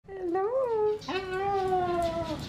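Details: A very talkative male pet cockatoo saying "Hello" to his visitors in a quiet room: a short rise-and-fall word, then a longer, level, slightly falling drawn-out word.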